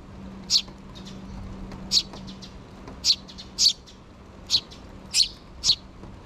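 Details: Begging calls from two sparrow chicks still in the nest, asking their parents for food with the mother bird present, 6 June 2023: seven loud, piercing high chirps at irregular intervals, some paired, plus faint peeps and a low steady hum.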